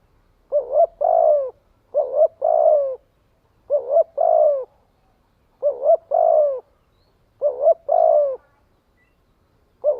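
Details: Decoy spotted dove's gathering call. The same phrase recurs about every two seconds: a short doubled coo, then a sustained falling coo. The background is quiet.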